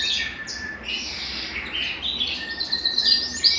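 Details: Belgian canary singing to stimulate males and bring females into breeding condition; a continuous high warbling stream with rolling trills and short whistled notes, varying through the phrase, over a faint low hum.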